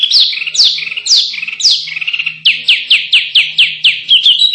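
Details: Contest-bird masteran recording of canary song: loud descending whistled sweeps followed by a run of evenly spaced sharp falling notes, about two per second, ending in a brief high trill; a low hum runs beneath.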